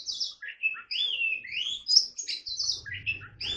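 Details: A softer song from an Oriental magpie-robin being trained in the forest-voice style: flowing, rising and falling whistled phrases that glide between mid and high notes, with a faint low hum toward the end.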